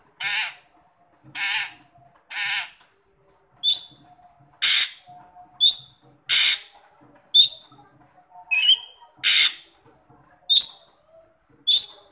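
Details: Long-tailed shrike calling to a shy shrike: harsh, scratchy rasps alternating with short, sharp chirps and upward flicks, spaced roughly one every second in otherwise quiet surroundings.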